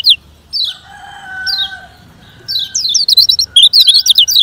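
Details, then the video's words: Lemon-bellied white-eye giving its fast 'ngejoss speed kenceng' training song for slow birds. Several spaced descending high notes over faint steady lower tones lead into a quick, busy run of high chirps. "Kecial Ngejoss Speed Kengceng Untuk Latihan Kecial Kuning Lambat"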